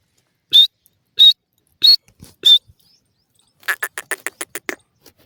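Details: Caged francolin, known locally as irani teetar, sitting on top of its cage and calling to other birds: four loud, sharp, high notes about two-thirds of a second apart, then a quick burst of softer clicking notes.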